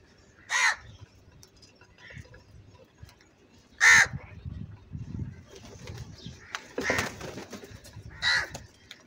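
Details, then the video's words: Loud angry crow cawing, single harsh caws spaced a few seconds apart, with a soft distant call and rustling background noise between them. "Very loud voice of Crow sound - Angry kauwa ki awaz"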